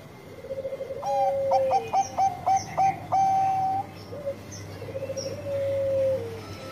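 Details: Bangkok-type zebra dove in full, melodious song: a soft low coo, then about eight clipped, rising notes in quick succession ending in one long held tone, over a faint steady hum.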